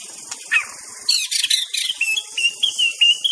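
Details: Wild white-rumped shama singing: a burst of harsh, squawky chirps, then a run of short, high, thin whistled notes repeated at a fast, uneven pace over a steady hiss.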